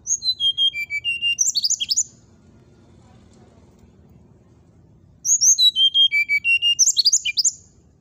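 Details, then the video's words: Two phrases of brown-chested jungle flycatcher provocation song, separated by a three-second pause: each a rapid descending run of whistled notes ending in high tangled twitters, over a low background murmur. "suara pancingan srdc agar lawan cepat emosi gacor,auto langsung cepat respon.."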